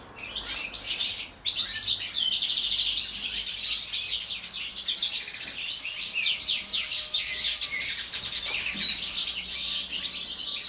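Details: Several caged European goldfinches sing through the winter day in an aviary. Their lively, jangling twitters overlap into a continuous high-pitched tangle of chirps and short trills, with a brief quieter moment near the start.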